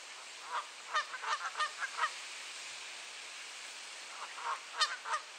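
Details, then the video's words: Geese in a spring turf war at Sainte-Adèle, Quebec, Canada, on a clear 7°C April morning: a quick series of harsh honks, a quiet gap, then another short burst of honking over steady background hiss. "Annual Goose Turf War"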